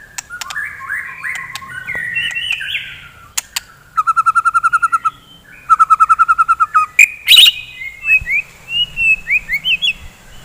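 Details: White-rumped shama singing in the morning to stimulate fighting birds: warbled phrases, two bursts of rapid even trills, a harsh loud burst, then short rising whistles.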